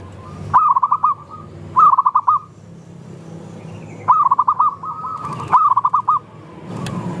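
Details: Zebra doves, local and Bangkok birds, in a group chorus used to trigger singing in other doves. Four loud stuttering coo phrases come in two pairs, with a softer overlapping coo between the later ones.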